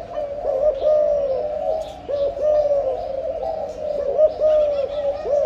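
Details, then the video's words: A breeding spotted dove gives a run of low, mellow coos, short notes and longer drawn coos strung together almost continuously, over a low background hum and faint high chirps. "Chim cu gáy sinh sản, cu gáy âm lối"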